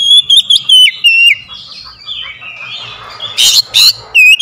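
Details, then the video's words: Oriental magpie-robin singing as a lure to get lazy birds singing: short, loud whistled notes at the start, a quieter stretch of scratchy twitters, then sharp bright bursts near the end. "KACER PEMIKAT KACER MALAS BUNYI LANGSUNG TERPANGGIL IKUT GACOR"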